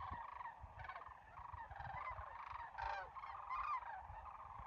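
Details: Sandhill cranes calling as they fly over a national wildlife refuge at Muleshoe one crisp December morning; many rolling, purring bugles overlap into a dense chorus, a few louder rattles standing out, with faint wind below.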